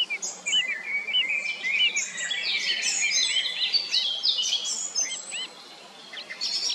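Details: Song thrush singing curled, whistled notes repeated in short series, overlaid with a busy, high, scratchy twittering.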